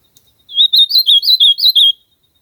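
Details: Ultramarine grosbeak sings a loud, clean phrase of about seven slurred, looping whistled notes in roughly one and a half seconds, rising and falling, with no other sounds.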